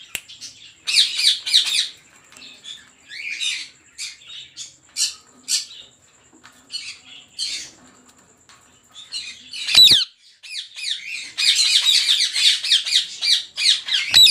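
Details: Many captive Rose-ringed parakeets at a 400-pair breeding farm give harsh, screeching squawks in quick overlapping bursts that swell into a dense chorus, with a faint steady high whine underneath.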